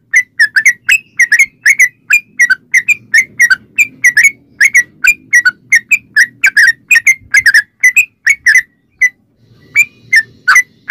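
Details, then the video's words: Energetic yellow-vented bulbul song in the long rolling style, played to lure other bulbuls to sing: a steady stream of short bright whistled chirps, some rising, others falling, broken by a brief gap near the end before resuming. "trucukan gacor ROPEL PANJANG buat pancingan trucukan agar bunyi"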